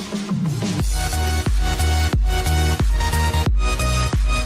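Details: Electronic dance music with a heavy, steady bass beat and bright synth notes, with no animal sound heard.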